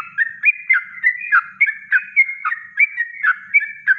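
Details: Natural kongslet song of a Yellow-vented bulbul used as training master: loud, fast, regular bubbling of paired liquid notes, about four a second, with a clean, quiet background.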